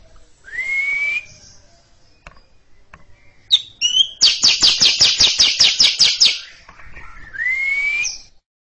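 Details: Greater green leafbird, kept caged, delivering a long chatter before a younger bird: a rising whistle, sharp notes, then about eleven loud rapid buzzy notes, ending with another rising whistle.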